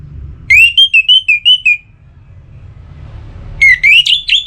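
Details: Orange-headed thrush singing with breeding-season excitement to call a rival, Singaraja, North Bali. Two phrases of quick, loud whistled notes, each slurring up and down, are separated by a short pause. Soft hum in the background.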